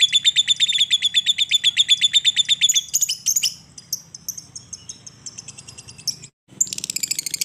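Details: Lovebird 'ngekek' chatter, played to spur quiet lovebirds into song: a rapid, steady run of shrill notes for about three seconds, then looser twittering and squeaks, a brief gap, and another burst of high chatter.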